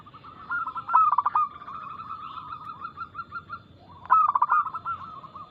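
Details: Fast, loud zebra dove song from a local perkutut, played as a lure to prompt silent birds to respond. A strong throaty burst opens, then a long chain of rippling coos follows, and a second loud burst comes near the fourth second.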